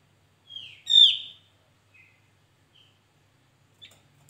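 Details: Javan white-eye on a trapping lure track, one strong downslurred whistle with bright harmonics after a softer lead-in note, followed by faint short chips and near silence.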